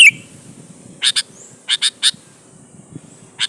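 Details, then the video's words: Sooty-headed bulbul, a lure recording played to provoke other bulbuls to answer and sing: a brief whistled note opens, then harsh, buzzy chattering notes in pairs and a triplet, separated by short pauses. "suara burung KUTILANG GACOR MENEKAN LAWAN"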